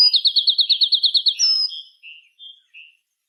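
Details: Bird chirping at dusk in the afternoon: a rapid string of about ten repeated sweeping chirps, a drawn-out whistle, then three soft spaced notes.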